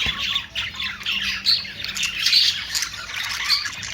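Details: Budgerigar, called Australian parrot, chattering busily: shrill squawks and twittering notes pile up in quick bursts, with several birds calling at once.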